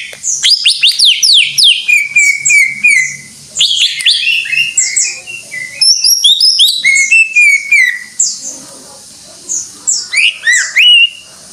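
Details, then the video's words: Greater green leafbird singing gacor: rapid descending whistle series, sustained slurred phrases, varied chips and twitters in long bursts, a quieter stretch of faint notes before a final lively flourish. "Suara Burung Cucak IJO FULL Gacor"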